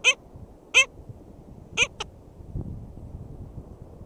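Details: Loud harmonic barks from a black skimmer at the nest in St. George State Park, Florida, recorded 22 June 2013: four strong yelps in two seconds, then quiet background hiss.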